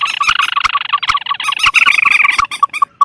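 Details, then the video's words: Mandar (pelan) rail lure sound paired with tikusan crakes, used for wetland birds: a fast, crowded run of nasal chattering notes with clicks, fading into separate short repeated calls. "Suara pikat burung mandar atau pelan vs tikusan"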